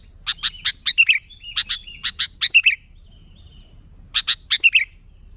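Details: Sooty-headed bulbul in full, lively song, used to lure other bulbuls: three bursts of sharp, high chirped notes, each burst a quick run of four to six notes ending in a slurred twitter, with short pauses between.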